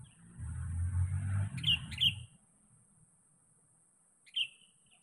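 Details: Sooty-headed bulbul calling a rival, used as a lure: two quick bright notes and a later third, over a burst of low rumbling noise in the first two seconds.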